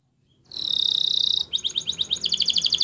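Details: Spanish Timbrado canary training song, a brief high buzzy trill followed by quick pulsed double notes repeated rapidly, with faint background hiss.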